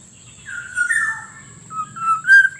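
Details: Kepodang, the black-naped oriole, on a lure track for wild birds and for prompting idle caged birds to sing: mellow fluty whistles sliding down, a pause, then a rising whistled phrase ending in a brief loud note, with constant high-pitched whine.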